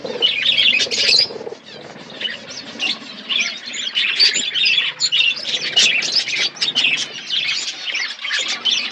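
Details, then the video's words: Budgerigars in a colony setup chattering together: a dense, continuous mass of chirps, squawks and warbled notes, loud and overlapping throughout, with a brief lull near the second mark. "Budgies colony setup birds chirping sound"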